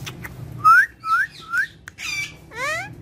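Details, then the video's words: Pet talking parrot giving three clear rising whistles, then harsher, noisier squawk-like notes ending in a rising whistle, indoors. "My So Cute And Friendly Speaking Parrot"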